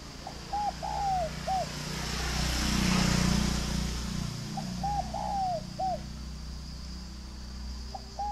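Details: Spotted dove from a farm in Ba Vi district, Hanoi, repeating a four-part cooing phrase about every four seconds: two short hoots, a longer sliding coo and a closing note. A passing vehicle rumbles in the middle.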